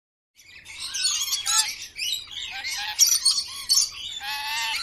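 A parrot gives a run of harsh, squawky chirps and bright whistled notes, dense and high, several bursts over about four seconds.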